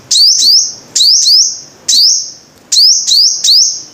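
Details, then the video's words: High, ringing sunbird notes, locally the five-coloured sunbird, grouped in twos and threes; each begins with a fast upward slide and settles into a sustained shrill tone, four groups in four seconds. "Tiếng chim hút mật 5 màu"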